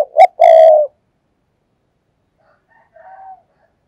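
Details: Fast 'thúc gù' decoy coo of a spotted dove, used to lure other doves: a short hoot and a long, level coo at the start, then a much fainter distant coo about two seconds later.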